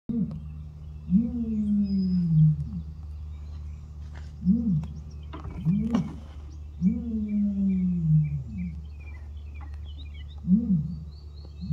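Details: Ostrich booming: deep, low tonal calls, each sliding downward over about one to one and a half seconds, with several repeated through the stretch amid short pauses and some faint higher chirps in the background.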